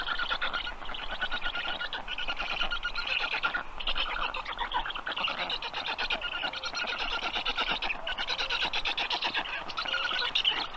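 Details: Black stork storklets being fed at the nest at 6:22 p.m. on 15 June 2022, main food herring; continuous harsh, rasping chatter in rapid pulsed bursts, steady and dense throughout.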